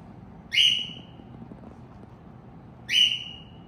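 A cockatiel gives two loud, shrill whistled calls, about two seconds apart.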